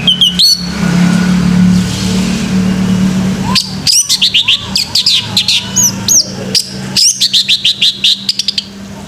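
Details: Male orange-headed thrush singing in the morning: after a few seconds of steady low hum, a rapid run of loud, high, sharply rising and falling whistled notes and chirps comes in quick bursts.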